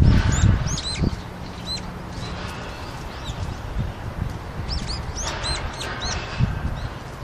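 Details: Brown-eared bulbuls in Seoul, Korea, on a very cold winter day in February 2020, visiting a rooftop to drink after the water froze; thin, high arched calls in scattered bursts, clustered near the start and after five seconds, over steady city hum.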